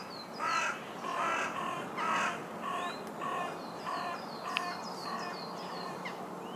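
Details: Carrion crow (Corvus corone corone) giving a run of about six harsh, hoarse caws, each roughly half a second long and spaced under a second apart, while thin, high chirps of small birds sound faintly behind.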